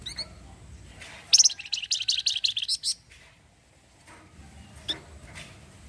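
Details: Orange-headed thrush in lively 'cretetan' chatter, a style credited with setting other birds replying: a sharp opening note, then a fast rattling series of about a dozen bright high notes, followed by faint scattered chirps.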